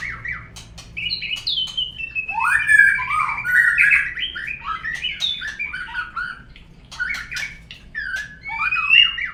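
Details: White-rumped shama song used to coax birds into singing: long stream of varied whistled phrases, swooping slurs and sharp clicks, with a quieter patch midway before the rich whistles return.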